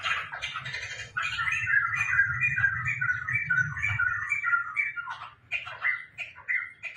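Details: Tame laughingthrush singing actively at home: a fast, fluid warble of whistled notes over a low hum, fading into scattered short, sharper notes toward the end.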